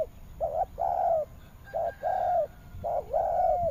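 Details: Repeated cooing of a spotted dove in western Vietnam's Mekong Delta. Paired notes, a brief hoot then a longer mellow coo, come in three groups roughly a second apart. Faint chirps sound in the background.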